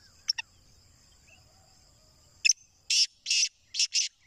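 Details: Black francolin call: two sharp clicks, then a pause, then a harsh, grating rhythmic series of four buzzy bursts. A steady high insect-like hum runs underneath.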